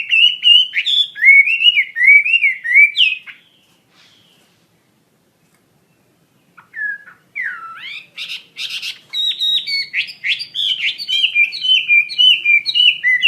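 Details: Wambi mandarin bird singing actively in wavy whistled phrases, breaking off into several seconds of silence, then resuming with high rapid chatter and quick up-and-down whistled notes.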